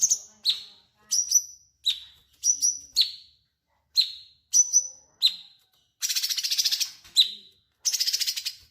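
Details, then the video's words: Bulbul singing for use as a magpie robin tutor song, delivering a lively run of clear double whistles that drop in pitch, broken later by two short buzzy chattering bursts. "Cucak Cungkok Gacor ‼️ Cocok untuk masteran burung murai batu"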